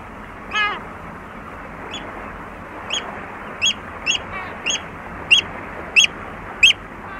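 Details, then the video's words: Oystercatcher at Walney calling close up: a run of sharp, high piping notes, repeated roughly every half second and growing louder toward the end, over a steady low background hiss. "Oystercatcher. Various Calls CU"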